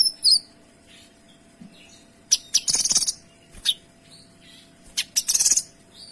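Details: Kinoy singing in gacor tembakan style, dense and clear: short high chirps, then two loud buzzy bursts of rapid notes about three seconds apart, with brief whistled notes between.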